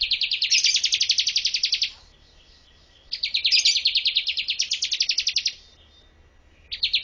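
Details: Master song of a Bar-winged prinia for teaching birds: long rapid rattling trills of high, dry chirps, each run lasting about two seconds, separated by short silent gaps.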